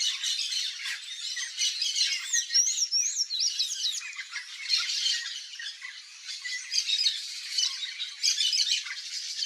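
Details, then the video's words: Wild yellow-faced parrot (Alipiopsitta xanthops, papagaio-galego) in natural habitat in Brazil's Cerrado, giving continuous harsh, raspy squawking chatter with scratchy rising and falling notes, dense and unbroken throughout. "YELLOW-FACED PARROT Singing"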